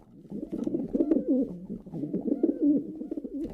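A male pigeon gives low, throaty rolling coos in two bursts with a soft bubbling rise and fall, heard close up indoors.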